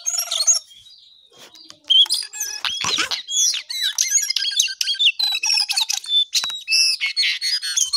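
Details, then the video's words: Lesser shortwing, locally called jongkangan or cingcoang coklat, singing busily: a dense, high, jumbled warble of quick twittering notes and sharp whistles after a short quiet opening. "Jongkangan/Cingcoang coklat paling gacor di dunia maya"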